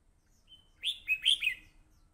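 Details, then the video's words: Fighting-type Red-whiskered Bulbul heard on a voice recorder: a soft high thin tone leads into four rapid loud liquid notes, bouncing up and down, against an otherwise quiet background. "hello crest fight 87,Hello Crest Singing, Voice Recorder, Bulbul bird"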